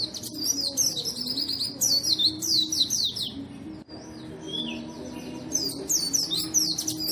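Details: Lively white-eye song for coaxing quiet white-eyes to sing: repeated rapid runs of sharp high chirps and slurred twitters, a brief pause with a soft descending whistle, then more busy twittering, over a constant low hum.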